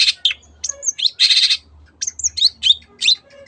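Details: 'Teot teot' song of the cendet, or long-tailed shrike, played as a lure for other birds: a harsh, grating burst lasting about half a second, framed by quick whistled upslurs and scratchy chips, with a low hum behind.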